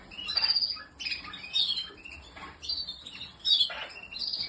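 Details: Caged canary, of a breed such as Spanish Timbrado or Malinois, singing short clipped phrases of high squeaky notes and trills, separated by brief gaps, in a small indoor space.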